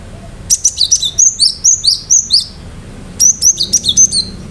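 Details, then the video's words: A cinereous tit (gelatik batu) delivering gacor song with sharp 'tembakan' notes: a long string of ringing high whistles alternating two pitches, a short break, then a second run of similar rapid piercing notes. "Gelatik batu gacor awas burung mu akan ikutan gacor"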